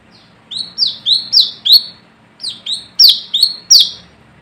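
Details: Brown-throated sunbird calling to rivals, suitable as a lure: two bursts of sharp, high, down-slurred chirps, five in the first and six in the second, separated by a short gap.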